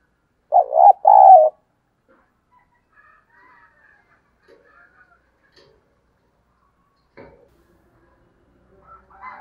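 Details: Spotted dove call used to excite decoy birds. One quick pair of low, throaty coos near the start, then long near-silence broken only by faint scattered clicks and chirps.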